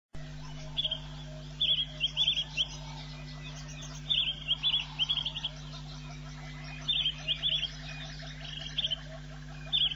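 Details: Swallow-tailed bee-eater, captured on an Africam wildlife camera, giving short, high, trilled chirps in quick bursts over a steady low hum.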